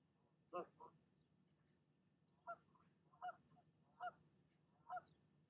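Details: Goose defending her nest against a visiting goose, giving single, well-spaced harsh honks roughly every three quarters of a second over a faint background hum.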